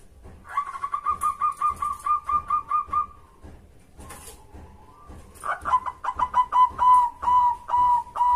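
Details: Local zebra dove song played as a lure to get other doves to answer and sing. A run of about fifteen quick, even cooing notes, a pause with a drawn-out tone, then a louder, faster burst of cooing notes.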